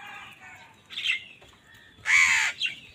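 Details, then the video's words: Crow squabbling with wild birds over food gives one loud, harsh caw midway, after a weaker rasping note; fainter chirps of other birds sound earlier. "Crows fight with wild birds for food | Crow bird unity anger and sound"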